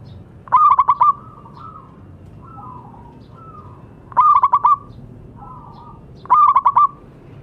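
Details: Zebra dove of local origin, a busy singer, for therapy of doves that stopped calling: three trilling phrases of quick soft coos, with short level whistled tones filling the gaps.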